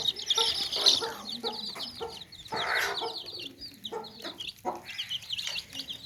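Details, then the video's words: Baby chicks in a basket with hens: dense, high-pitched downslurred peeps, several harsh, broad clucking bursts spaced about a second apart, plus faint low murmurs. "Baby Chicks Chirping Sounds In Tokri | Chicken's Chicks Sounds and Chickens Clucking Sounds"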